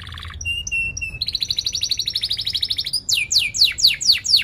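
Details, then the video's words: Canary with sharp 'cuit cuit' chirps and rolling trills, for young canaries learning to sing: a low buzzy burst, paired thin whistles, a fast pulsing roll, then repeated bold falling sweeps. "Kenari Gacor Cuit cuit NgeroL TAJAM | untuk Pancingan kenari Paud belajar Bunyi & kenari MACET BUNYI"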